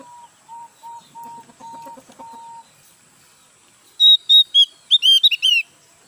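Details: A newly bought Javan grey-throated white-eye, not yet in full song, gives loud, high, sliding chirps in a quick burst of about eight notes after a softer run of steady low whistles, three per second.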